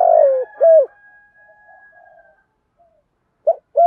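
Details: Spotted dove coos, male and female, used to rouse a newly caught bird into calling. A long falling coo and a short arched note open, then faint drawn-out tones, quiet, and two more coos at the end.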